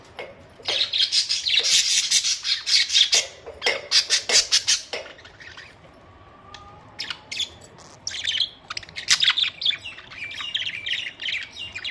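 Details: Budgerigars kept as pets give loud, fast bursts of harsh squawks and chirps about once a second, a pause with a brief steady tone, then a renewed run of scratchy warbling.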